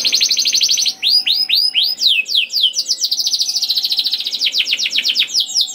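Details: Canary song for prompting other canaries to sing: rapid buzzy trills alternating with series of descending whistled notes, with a faint steady low hum underneath.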